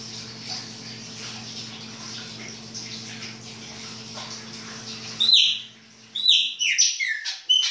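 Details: In winter, a Chopi blackbird sings baianinho style: a long stretch of faint hiss and hum, then sharp, high descending whistles in short bursts separated by brief silences.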